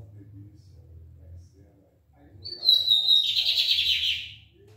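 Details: Lined seedeater of the barbado type singing on a Friday at half past ten: one short phrase, a thin descending whistle sliding into a dense buzzy, chattering burst, over low indoor hum.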